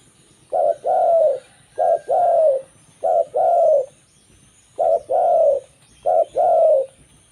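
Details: Local zebra dove cooing, used as a lure for other zebra doves: five paired phrases, a brief clipped note then a longer warbling coo that slides down, spaced roughly one to two seconds apart, with light background hiss.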